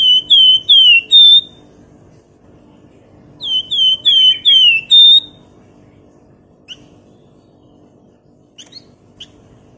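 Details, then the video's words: Flamboyan bird singing energetically, a loud lively bird used to provoke rivals into song: two bursts of clear whistled notes descending and repeated four to five times, then sparse faint chips over a low steady hum. "PANCINGAN FLAMBOYAN GACOR NYIUL CRECETAN LAWAN IKUT NGEBREN"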